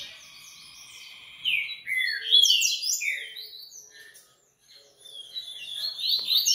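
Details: Captive double-collared seedeater (Sporophila caerulescens, "coleiro") bred for song tournaments gives a fast, high song of clear whistles and buzzy slurred notes, rising and falling, in two bursts separated by a brief pause.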